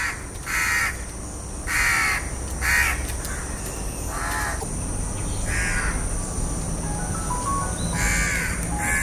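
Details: Hoarse caws from a House crow, a run of about seven harsh calls, louder at first then fading, with steady low rumble throughout.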